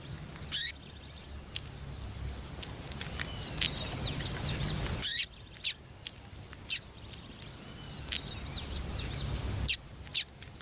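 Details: Calling female yellow-bellied seedeater trying to attract a male. Loud, brief high chips come at irregular intervals, some in quick pairs, over softer, continuous high twittering.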